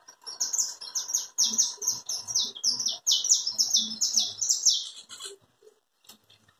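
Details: Clean chapinha carritilha song from a saffron finch, called canário da terra: a five-second volley of bright, high, descending notes repeated quickly and evenly, ending abruptly, then near silence with a few clicks.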